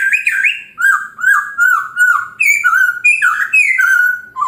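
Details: Chinese hwamei singing in the morning, used to provoke other birds into answering: loud, varied whistled phrases sliding up and down, each note swooping and repeated in quick succession, with short gaps between bursts.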